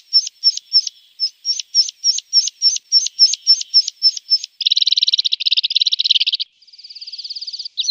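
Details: Javan bush lark tutor song for training birds: quick, evenly spaced high chirped notes, then a dense buzzy rattling trill, a thin faint rattle, and a renewed burst at the end.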